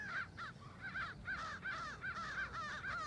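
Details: A flock of crows mobbing a great horned owl in daytime, eastern North America, caw harshly and overlap, about three or four hoarse caws per second in an unbroken chorus.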